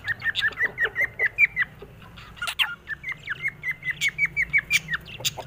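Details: A cockatiel, happy and lively, chirps short whistled notes in two fast runs of roughly six per second, broken in the middle by a brief harsh squawk.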